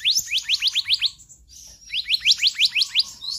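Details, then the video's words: Two quick runs of ringing upswept whistles, six or seven notes each, sung by a magpie-robin in full konslet variation, with a short pause between the runs. "Kehicap Ranting Gacor Konslet Full Fariasi"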